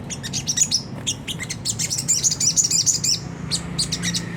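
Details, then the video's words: Sunda whistling thrush in a rough ngriwik song style, used as a lure to provoke caged birds into singing: rapid, sharp high chirps and thin whistled notes in irregular bursts over a low steady hum. "pancingan jernih suara sogon ngriwik kasar nembak gacor"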